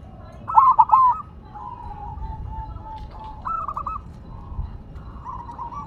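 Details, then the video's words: Silver-variety zebra dove still singing after being placed on the ground, giving three bursts of quick, stuttering coos in the mid range, each followed by softer drawn-out trailing notes, with a faint low background rumble. "Perkutut Silver Tetap Gacor Walaupun Ditaruh Tanah"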